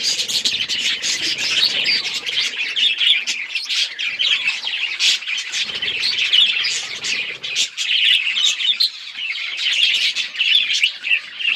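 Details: Long unbroken chatter from many budgerigars, high squawky chirps and warbles layered densely, loudness rising and falling slightly throughout.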